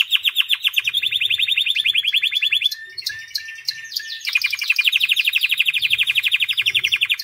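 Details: White canary in song: a long fast rolling trill, a brief burst of mixed chirps, then another sustained rapid trill of evenly repeated notes.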